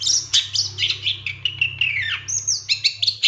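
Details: Captive-training master recording of a long-tailed shrike singing a varied, rich medley of high whistles, harsh chirps and descending slurred notes, delivered continuously with sharp accented notes near the end.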